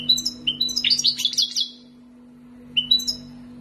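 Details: European goldfinch from the wild, raised in captivity for two years in Algeria, delivering a fast liquid twittering burst of high tinkling notes, a pause, then a brief chirped restart, with constant low hum indoors.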